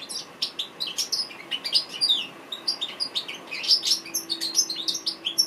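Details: Goldfinch song used for training cage birds: rapid high tinkling twitters and sharp chirps pouring out almost without a break, with rhythmic bursts about every quarter second over a faint background hum.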